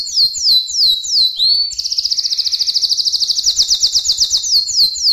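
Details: Canary song: high descending whistled notes repeated about three per second, switching to a long rapid trill of fast pulses, then back to sweeping notes.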